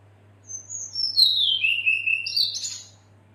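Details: Female red-billed leiothrix calling for a male, used to draw out song: a thin whistled start that slides steadily down into a harsh, buzzy chatter before a rough upward flourish, lasting about two and a half seconds.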